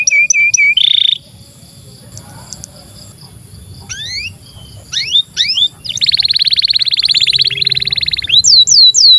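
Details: Canary song used as a master recording for young canaries and canaries that have stopped singing: a high piping phrase and a buzzy block, a pause, then upward-sweeping whistles, a long rapid rattling trill and looping whistled notes.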